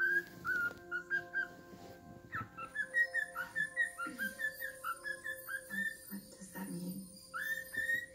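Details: Pet cockatiel on Halloween, singing to its owner's foot and whistling the tune "Twisted Nerve". A quiet series of short, clear whistled notes, rising and falling, runs through the clip over a low household hum.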